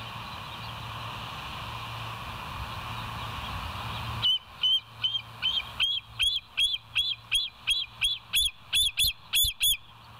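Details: West End Bald Eagle, live nature cam recording at 7:00 on 25 September 2023: several quiet seconds of noise and hum, then about fifteen shrill, thin chattering notes delivered quickly and rhythmically.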